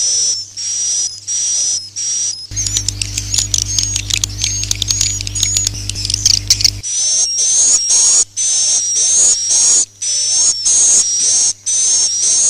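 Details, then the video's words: Lure sound to attract swiftlets: rhythmic buzzy high trills in short bursts, a middle stretch of dense clicking chatter over a low hum, then more rising buzzy trills. "suara panggil burung walet"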